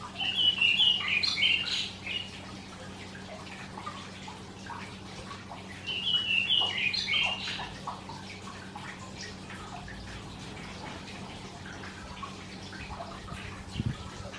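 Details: Karoo thrush singing at dawn on a summer morning, often before sunrise and first to start; two loud rich warbled phrases of varied whistled notes about five seconds apart, with fainter background bird chirps and a steady low hum.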